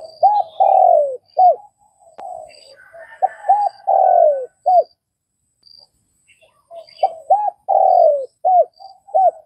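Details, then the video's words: Vietnamese spotted dove repeating its coo phrase twice: a long descending note framed by short arched notes and soft lead-in hums, with a faint higher sound between phrases. "Tiếng cu gáy Việt"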